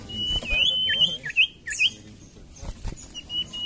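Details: Common iora, a lure recording for birds that are slow to sing: a long whistle breaking into a series of quick wavering, looping notes, followed by softer short whistles.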